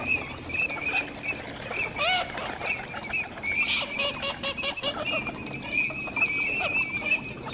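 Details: A group of teal giving overlapping thin whistles in a steady high chorus, broken by a few louder, harsher duck-like calls near the start and middle.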